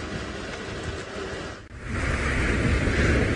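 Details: Rushing wind and a low vehicle rumble briefly drop away, then return as a louder broadband roar on an evening safari drive.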